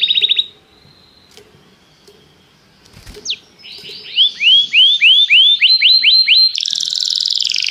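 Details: Canary calling a partner to sing as part of song training: a short trill, a quiet gap with clicks, then a series of about ten rising swooping whistles ending in a rapid buzzy trill.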